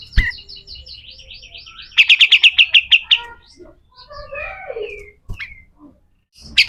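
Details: Pied triller in rough 'besetan' style for teaching other birds: a run of soft repeated notes, then a loud rapid chip trill, followed by lower slurred whistles and a final harsh burst.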